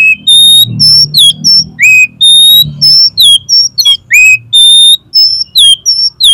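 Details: Oriental magpie-robin song used as a tutor and as a lure to get contest birds singing: loud, clear whistled notes, some level, some sharply falling, with rich overtones, given in quick varied phrases with short pauses.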